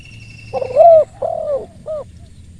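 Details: Spotted dove cooing: a short rising note, then a longer mellow falling coo and a brief final coo, all low and hollow, with a faint high whistle in the background.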